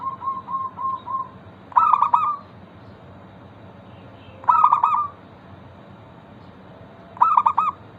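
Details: Local zebra dove song played to prompt other doves to sing: soft even coos at first, then three loud stuttered cooing bursts spaced about two and a half seconds apart, each trailing into a short trill.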